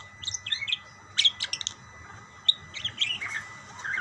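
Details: Budgerigars calling to each other in short groups of bright, high, clipped chirps separated by brief pauses, over a faint low hum.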